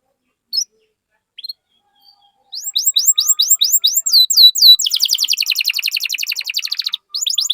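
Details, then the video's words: Domestic canary song used as a lure to stimulate other canaries to sing: after a few short chirps, a fast series of repeated rising whistled sweeps, then a dense rapid trill around three seconds long, then further sweeps. "Pancingan Burung Kenari Gacor Cuit Cuit Masteran Kenari Paud"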